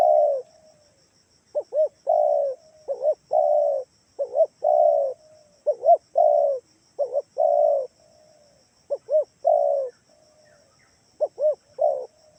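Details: Spotted dove lure call, used to get other doves to answer: a long run of repeated phrases, each two quick arched coos then a sustained coo, about ten phrases, with a steady faint high hum.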